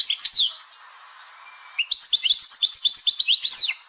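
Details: Algerian European goldfinch song: a quick, tinkling run of liquid chirps and twitters, pausing briefly midway over a faint low hum before resuming.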